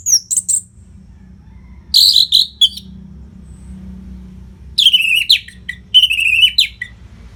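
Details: Orange-headed thrush, a nonstop-singing anis merah on a tutor recording for fighter birds, delivers three separate bursts of high, sharp, chattering notes with short silent gaps, a steady low hum underneath.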